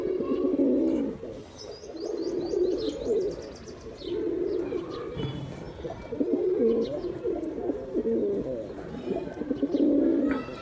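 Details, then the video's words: Repeated low, rolling coos from a male pigeon, used to lure other pigeons, coming in phrases every two seconds or so over about ten seconds, with high twittering from small birds early on. "Pigeon sounds attract pigeons || Male pigeon Sound"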